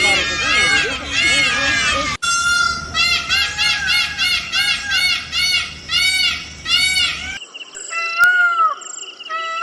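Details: Repeated peafowl calls, about ten short arched cries in quick succession layered over a busier, overlapping background of similar calls, then a sparse quieter ending with a single falling note.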